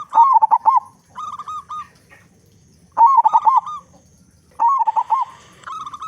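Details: Loud-voiced local zebra dove song played as a lure to get other zebra doves singing quickly: repeated clipped, bubbling coo phrases, each a quick stutter followed by a level drawn-out note, several in six seconds.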